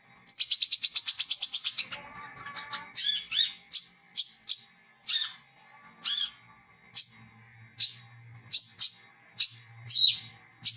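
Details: Singing olive-backed sunbird, a lure recording of wiceh, the styles stated as ngriwik, ngecret and ngeplong: a fast, high, buzzy trill of almost two seconds, followed by single sharp chips spaced under a second apart.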